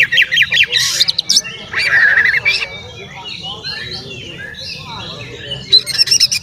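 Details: Oriental magpie-robin, a male singing strongly to provoke rivals; scratchy rattling notes lead into a sustained whistled phrase, then soft mixed twitters and a final quick rattle over a low hum.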